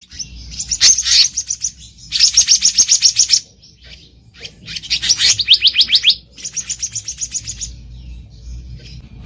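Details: Black-naped monarch in the wild, used as a lure for trapping: bursts of rapid, high, harsh notes about four per second, each lasting one to two seconds, separated by short pauses.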